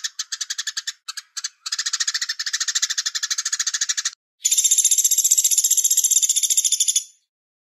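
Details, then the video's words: Velvet-fronted nuthatch (pelatuk beras) singing the Cigun Gereja style with pauses and a far-carrying voice: stuttering bursts of fast chattering notes, then after a short gap a louder, denser buzzy trill lasting over two seconds. "Pelatuk beras Cigun Gereja Jeda Suara Jauh"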